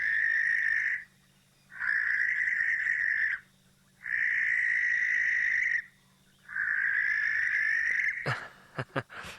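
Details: A barn owl call recording played back during a Maasai Mara safari: four drawn-out harsh screeches about a second long each, slightly rising, with pauses between. The clip ends with clicks and handling noise.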